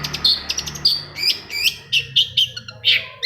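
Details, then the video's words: Shrike singing to provoke a rival into song: quick bright whistled slurs and short chattering notes, loud and clipped, repeated several times a second with a low hum underneath. "PANCINGAN CENDET MALAS BUNYI SEKETIKA CENDET LAIN LANGSUNG NYAUT!!! | Singing of shrike bird"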